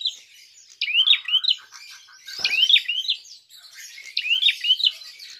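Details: Prinia calling aggressively, used as a lure to provoke rivals: loud bursts of sharp, high chirps in rapid zigzag runs, three phrases with brief gaps and a single soft thump midway.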